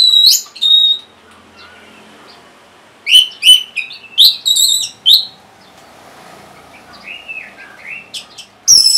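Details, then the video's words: An orange-headed thrush sings to prompt caged birds that have stopped singing. Loud rising whistles open, then a gap. A series of strong separate slurred phrases follows, then softer warbled notes and a final sharp call. "C0COK Untuk Pancingan Burung ANIS MERAH Bahan Macet Ataupun Malas Bunyi"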